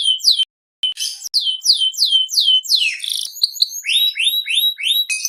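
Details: Canary, Seri FI type, in vigorous song: sharp descending whistles, a short gap, a string of repeated downslurred notes, a buzzy flourish, then a series of rising swept notes and a closing trill.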